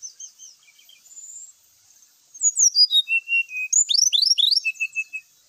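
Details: Brown-chested jungle flycatcher singing, used to goad other birds to fight. Soft high whistles open the clip, then louder slurred notes descend into a rich, rapid run of down-sweeping trills and three short closing whistles.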